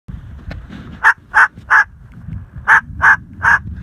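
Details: Pet cockatoo barking at a dog in imitation: two bursts of three sharp, harsh bark-like notes, evenly spaced about a third of a second apart, over a low rumbling background.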